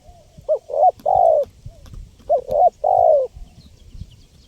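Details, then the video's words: Vigorously calling spotted dove, recorded as a lure for wild birds: two phrases of soft, mellow coos, each a short note, a second short note and a long, slightly falling coo, over faint low rustling. "SUARA LANGKA BURUNG TEKUKUR GACOR PALING AMPUH 2024 UNTUK PIKAT BURUNG LIAR"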